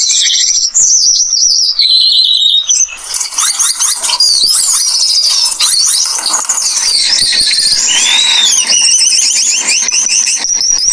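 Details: Australian pipit song, a bird kept as a sweet-voiced pest species: a long, loud, scratchy medley of rapid chirps, squeaky slurs and buzzy trills, growing busier and harsher after the first few seconds.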